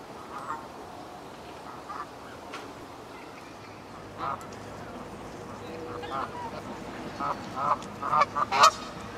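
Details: Canada geese in Herten castle park, Germany, giving scattered nasal honks, faint at first and growing louder and more frequent toward the end over a steady background hum.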